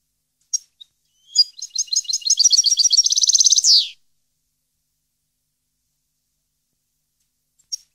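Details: European goldfinch song recorded in 2015: a single rapid twittering phrase of high tinkling notes that speeds into a fast trill and ends in a harsh descending buzz, with a few isolated chips before and after amid silence.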